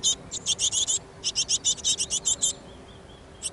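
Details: Great tits, a busy family in a backyard, recorded on 5 May 2014 with an action camera: rapid bursts of high, thin, sharply repeated notes, about a dozen in quick succession with a short gap, then faint scattered notes.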